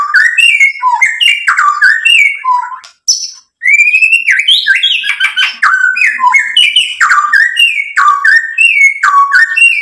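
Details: Gacor song of a white-rumped shama, meant as a lure to provoke other birds into answering. Almost ten seconds of nonstop varied whistling: descending slurs, chips and bright trills, broken once by a short pause.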